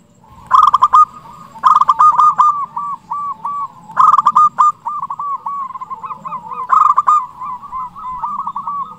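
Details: Local zebra dove with a big voice, a steady singer, used as a lure to get other zebra doves singing: loud stuttering cooed phrases, a burst of rapid broken notes sliding into level coos, repeated every couple of seconds, with other doves overlapping.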